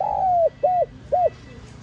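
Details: Spotted dove coo in the 'giọng son' voice style, a calling and urging coo: one long, gently falling coo followed by two short arched coos, clear and steady against a quiet background.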